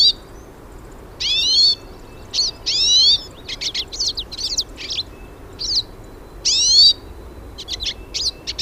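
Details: Hooded siskins in nature, several birds singing: lively high chirps and twitters run together with a few longer, rising whistled notes spaced through the passage.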